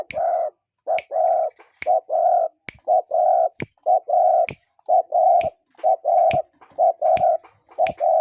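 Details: Cuckoo calling in nature: low, hooting two-part notes, a short note then a longer one, repeated steadily about once a second, with sharp dry clicks between phrases and no talking or music.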